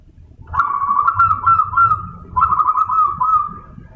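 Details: Zebra dove (perkutut), a crossbreed of Bangkok and local wild perkutut, kept as a songbird: two long phrases of rapid, rolling staccato coos at steady mid pitch, each about two seconds, over low rumble.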